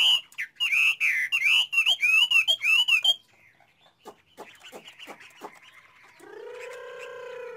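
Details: Chinese hwamei singing a loud, rhythmic series of ringing, swooping whistles, then softer clicking notes, before a lower, steady nasal tone sounds at the end.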